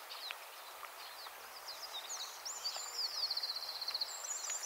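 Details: A European goldfinch singing from a thin branch at Fowlsheugh gives a rapid, tinkling run of high twittering notes and liquid trills, with a steady background hiss of wind or rustling.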